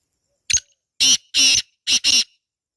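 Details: ['Wild black francolin calling in natural surroundings: a short sharp note, then a pause and two long, harsh, grating notes, then two more rasping notes. The phrase is loud and close against a quiet background.']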